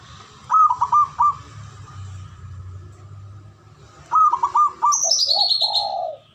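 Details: Zebra dove male, ngoar manggung call for stirring mating arousal and aggression: two bursts of three quick, stuttered coos, then drawn-out lower coos. Another bird adds a high, falling whistled series, and a low hum runs beneath.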